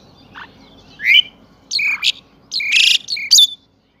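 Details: A pied myna at Saifai, Uttar Pradesh, sings in the morning, phone-recorded. Separate upslurred whistles alternate with rasping, noisy blasts, building to a dense harsh phrase before it falls silent.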